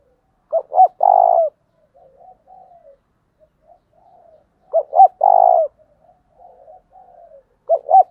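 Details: Spotted dove decoy in intense calling to attract wild doves: repeated three-part coos about every four seconds, each two short notes plus a long buzzy one, with soft murmurs between.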